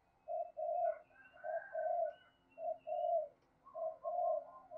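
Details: Decoy spotted dove with the 'giọng thổ' voice style, used to prompt other doves to coo quickly: low, mellow cooing phrases of two to three hollow notes, repeated about every one and a half seconds, with fainter higher notes behind.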